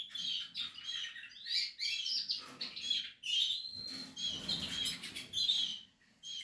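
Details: Portuguese harlequin canary at nest building gives bursts of high chirps and short twittering notes, broken by brief pauses and light rustling.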